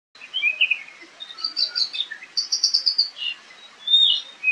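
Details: Oriental magpie-robin singing in the wild in agitated fighting mode, recorded by camera: varied bright whistled and warbled phrases, quick trilled notes and slurred rising and falling whistles, delivered in rapid bursts without pause.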